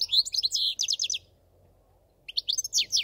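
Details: Short bursts of bright, rapid goldfinch twittering with sharp high slurred notes, separated by about one second of quiet.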